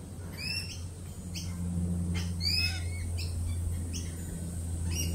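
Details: Jittery lorikeets, after a peregrine falcon attack earlier in the week, give brief piercing screeches repeated roughly every half second, some in quick pairs, over a steady low mechanical hum.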